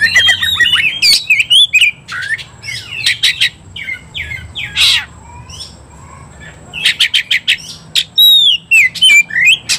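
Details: Kacer, the Oriental magpie-robin, provoked into fighting mood: dense mix of harsh rasps, whistled slurs and chattering notes, a quieter middle stretch, then rapid bursts of loud scratchy calls resume near the end.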